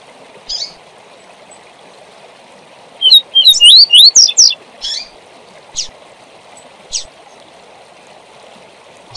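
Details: Double-collared seedeater singing the tui tui zel zel song used for training young birds: a short burst of clear whistled notes sliding up and down, high and rapid, with a few isolated chips before and after over a steady background hiss.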